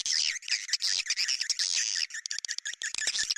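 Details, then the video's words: Swiftlets' attraction sound in the bintang utara style. Dense, harsh high twittering fills the first two seconds, followed by a quicker series of clipped, separated chirps. "Sp yg d sukai burung walet.sp bintang utara"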